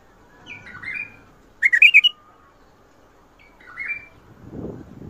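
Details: Bulbul singing a Mandali and Badra style song (shadat ward, fajrli, ward tabarli): quiet warbles on either side of a loud, rapid run of bubbling whistles, with a low rumble near the end.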